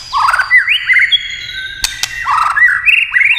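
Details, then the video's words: Shama, White-rumped, with tail-tapping clicks urging it to sing: two short phrases of stuttered trills rising into ringing whistles, separated by a pair of loud cracking clicks. "chòe lửa tạch đập đuôi cạch cạch kích thích chòe lửa hót"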